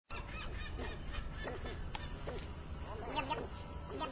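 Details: Snowy egrets in breeding condition on Alcatraz Island give harsh, low, croaking "blub blub" squawks, several in quick succession and sometimes overlapping, over a steady rumble of wind and surf.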